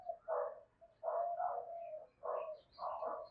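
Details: Spotted dove cooing, meant to stimulate and lure other doves: muffled, rough mid-pitched coos in four grouped bursts over about three seconds, softer and less clear.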